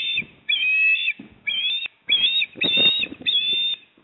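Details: At a South Australian osprey nest in Port Lincoln on 28 September 2024, the male arrives with a fish for the female. Loud drawn-out whistles, each about half a second, repeat almost continuously over soft rustling and thumps.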